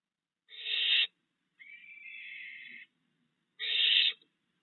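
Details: Barn owls in a yard at night, June 2022, with three fledged owlets still fed by the father. Two loud rasping screeches bracket a quieter, smoother, longer hiss lasting over a second.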